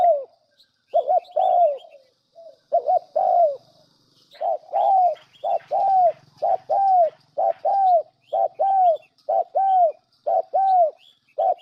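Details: Spotted dove lure song for trapping, a dense run of arched low coos in quick succession, several per second toward the end, with scattered thin chirps from other birds above.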